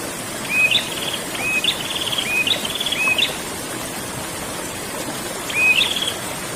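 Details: Prinia, called prenjak, singing ngerol: a rapid run of four whistle-and-trill phrases under a second apart, a pause, then one more, with a constant hissing wash behind.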